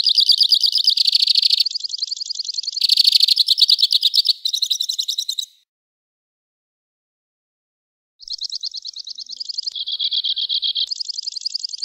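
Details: Two-barred crossbill pours out loud, rapid trilled phrases that alternate between higher and lower pitch, stops for over two seconds, then continues with a further string of varied mechanical trills.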